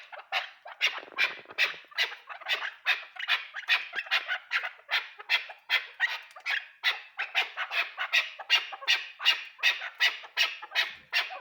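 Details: Chukar partridge from Pakistan calling in a long, steady run of harsh, clucking chuk notes, two to three every second, rhythmic and unbroken for more than ten seconds with no other sounds.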